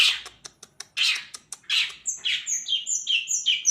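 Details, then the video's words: Long-tailed shrike imitating the kunti panjang and tengkek: sharp clicks and harsh, noisy bursts followed by a quick series of loud, clear, downslurred whistled notes. "Cendet nembak kunti panjang dan tengkek"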